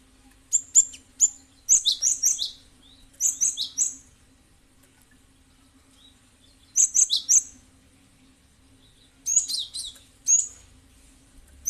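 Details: Cinereous tit (gelatik batu) recording played as a strong lure so other birds respond; repeated bursts of quick, high, ringing chirps in groups of three to five, with pauses of several seconds between phrases and a low hum throughout.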